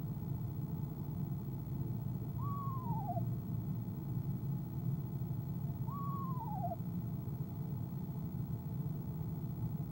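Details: Eastern screech owl female trilling from her nest box in the late afternoon and evening of 25 January 2015, before departing: two short, wavering, descending trills roughly three and a half seconds apart against low background hum.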